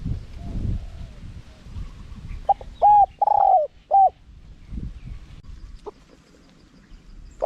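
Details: Spotted dove giving a wild-style, small-voiced cooing phrase meant to draw wild doves in: one tight group of four hollow coos with a longer drawn-out third note, then faint scattered notes over low background noise.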